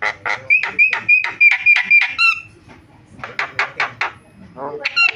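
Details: Starling lure sounds to set other starlings calling: a rhythmic series of about eight harsh notes each carrying a thin steady whistle, a pause, then more rapid harsh bursts.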